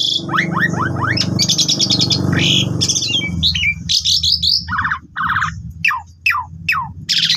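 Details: Asian pied starling singing as a training lure, with dense fill-in phrases: rasping bursts and rattles, then sharp falling whistles repeated about twice a second, over low rumbling background noise.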